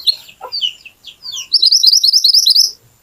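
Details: Little pied flycatcher, a lure recording for prompting other birds to sing: a few scattered slurred chirps, then a fast bright trill of rapidly repeated high notes.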